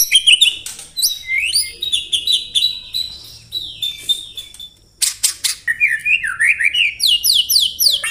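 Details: Murai batu, the white-rumped shama, delivering a 'tembakan rapat' dense song: a run of sharp high notes, a brief near-silence, then loud clicks and a rapid series of rising, ringing whistles.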